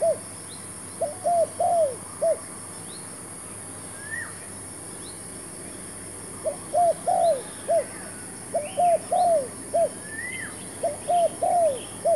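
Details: Spotted dove serving as a decoy bird for trapping, giving a phrase of quick low coos, then quiet for several seconds, then three more phrases in close succession. Faint rising chirps of other birds and a steady high-pitched hum continue throughout.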